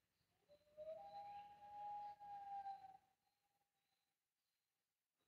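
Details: A Common Loon on Whitefish Lake near sunset gives one long, mournful note that slides upward, then holds about two seconds before fading over a quiet low hum.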